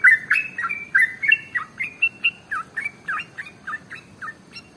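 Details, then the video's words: Trucukan (yellow-vented bulbul), a male singing fast 'ropel' for a lure recording. Loud bright opening notes fade into a steady chain of short dipping whistles, roughly four per second, over faint low hum. "SUARA Trucukan ropel SUPER PANJANG"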